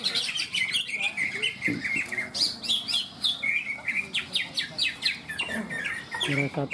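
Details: Greater green leafbirds (cucak ijo) competing in a bird-song contest, Malinau, North Kalimantan, Indonesia; loud, varied, whistled and chirping notes in quick sweeping runs, several birds overlapping, with light background chatter.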